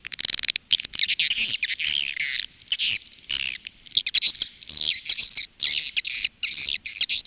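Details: Swiftlets, heard in the calling and roosting sound that swiftlet farmers in Indonesia play. Long, raspy, high-pitched twittering phrases alternate with short gaps, some bursts wavering up and down.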